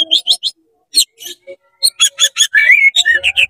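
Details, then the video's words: Tail-spreading oriental magpie-robin in frenzied song to heat up other magpie-robins: quick paired chirps, then a dense run of rapid bright notes and a rising slurred whistle. "CEPAT GACOR BUKA EKOR DONGKRAK EMOSI KACER KONSLET BIKIN KACER LAIN PANAS"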